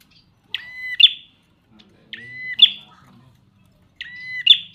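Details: Prinia, described as partly in full song, repeating a buzzy nasal harmonic note followed by a sharp click, about every one and a half to two seconds, three times in all; faint low background noise.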